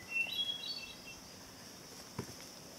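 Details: A hermit thrush on the Old Ridge Trail descending Simpson Hill at sunset on the 2013 summer solstice gives one fluty phrase: a held opening whistle, then quick higher notes that flutter and fade, over a steady insect-like hiss, with one soft tap.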